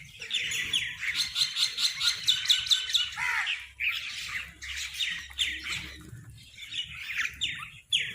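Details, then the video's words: Crows fighting over food make a dense, noisy chorus of harsh overlapping squawks, about two per second, with brief pauses and a low hum underneath. "Crows fight for food | Crow Sound part 2"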